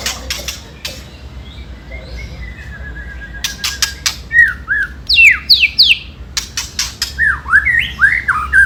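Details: White-rumped shama ketrekan meant to provoke rival birds into answering: dry clicking bursts mixed with loud, swooping whistled phrases that slide up and down, growing more frequent toward the end.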